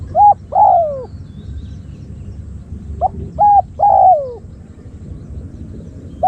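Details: Spotted dove used as a decoy to lure wild doves gives loud cooing phrases: short rounded coos followed by a longer, falling, drawn-out croon, repeated twice with a brief start near the end, over low rumbling background.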